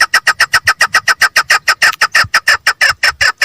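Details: Female chukar partridge calling close by, loud rasping chuck notes repeated steadily about six times a second throughout.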